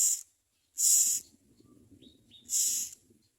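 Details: Common myna chicks at the nest, with the mother present, give harsh, hissing screeches in three bursts of about half a second, with faint low murmuring between them.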